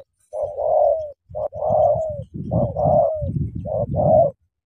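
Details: Spotted dove meeting a wild bird, eager to fight, calls a steady series of five throaty coos, short and long notes paired, with heavy low rustling and thumping running under the later calls.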